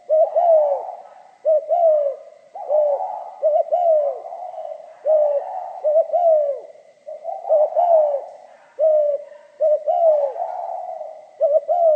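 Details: Spotted dove, pha kim voice type, cooing continuously in a long series of rhythmic phrases, short paired notes then a longer down-slurred coo, tightly repeated with little pause.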